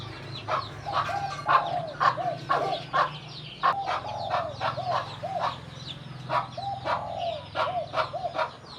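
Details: A mother hen clucks repeatedly to draw her chicks to food, the clucks coming in loose groups. Chick peeps, a low steady hum and soft falling notes from another bird sound alongside.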